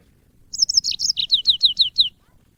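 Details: Yellow-fronted canary, called burung mozambik, in training audio for cage birds. A single high phrase opens with slurred warbles and then steps down into about six separate, evenly spaced down-swept chirps.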